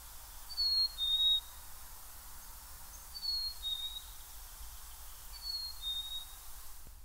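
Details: Black-capped Chickadee in a backyard in southern Maine in the second half of March gives its clear two-part whistled 'fee-bee' spring song three times, each a higher note dropping to a lower one, with a soft hiss behind.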